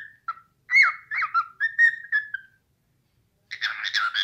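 A cockatiel whistles a run of clear, sliding notes, then adds a burst of harsher chatter.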